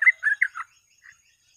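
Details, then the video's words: Sooty-headed bulbul in full, lively song used as a lure for catching birds: a brief run of four bubbly, warbled notes, then a soft trailing note after a pause. "BURUNG TRUCUK FULL GACOR ROPEL,PANCINGAN TER'AMPUH"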